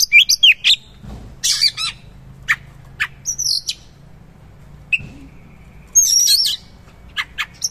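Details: Oriental magpie-robin singing energetically with rough material and rich fill: short bursts of high chirps, buzzy trills and sweeping whistles, separated by brief pauses. A faint low hum sits underneath.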